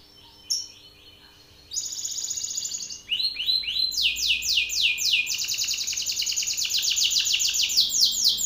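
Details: Belgian canary male calling out a rival with powerful song: a faint, sparse start, then loud, rapid trills of repeated sweeping notes that grow steadily stronger and denser.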